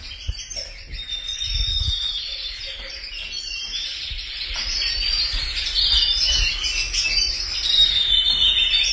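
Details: Group of canaries chirping and singing, high thin twitters and sustained whistled trills that grow louder and busier toward the end.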